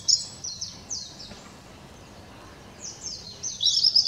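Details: Blue-and-white flycatcher recorded 7 May 2016: a short burst of high, descending whistled notes, then a quiet pause, then another run of slurred falling whistles ending in a bright chattering flourish.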